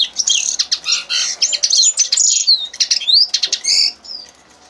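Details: Common linnet singing: a rapid, varied twittering of dry buzzy chirps, quick trills and short whistled upslurs, delivered in bursts with brief pauses, all high-pitched and clear against a quiet background.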